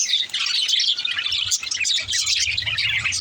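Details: Singing of a baby budgerigar: busy, overlapping high chirps and twittering warble filling the whole stretch, over a faint low hum.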